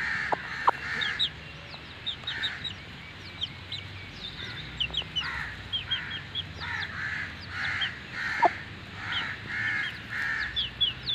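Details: Aseel hen with her newly hatched chicks in Mianwali: many shrill, falling chick peeps in rapid clusters, mixed with harsher, buzzy, banded calls recurring every second or so throughout.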